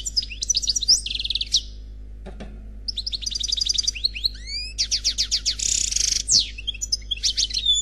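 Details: Khalwi-style song of a single, unpaired European goldfinch: rapid liquid twitters, sweeping slurred whistles and dense buzzy trills in quick succession, separated by brief pauses, with a soft knock partway through.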